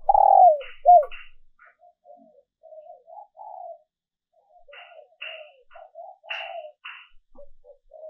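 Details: Female dove calling to attract males, in an edited recording meant for decoy training: two loud opening coos trail into soft, low, run-on cooing, broken by brief scratchy bursts and pauses.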